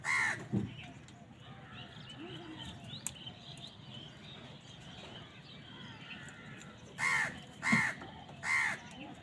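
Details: Crows squabbling with wild birds over food: one hoarse caw opens, then a quiet gap with faint twittering, and finally three loud rasping caws about a second apart.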